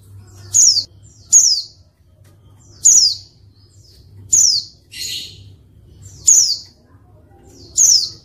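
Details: A female white-eye gives thin, very high, downslurred chips about every second, with one harsher buzzy note, over a faint low hum; these female calls are used to provoke males into calling.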